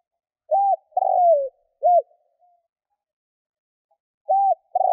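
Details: Spotted dove cooing to lure wild doves. One complete phrase of short coo, long rolling downward coo and short coo, then silence before the next phrase begins.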